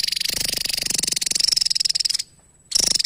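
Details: Javan tesia singing vigorously, recorded as training material for other songbirds: a rapid, buzzy, pulsed high trill that runs steadily for about two seconds, breaks off briefly, then resumes.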